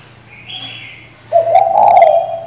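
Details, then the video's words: Female spotted dove calling the male to provoke a decoy bird: a thin, high whistle from another bird is followed by a single low, rough coo lasting about a second. "Cu gái mái gáy, gù, thúc,... kích bổi cực hay, bổi mở mỏ ngay!"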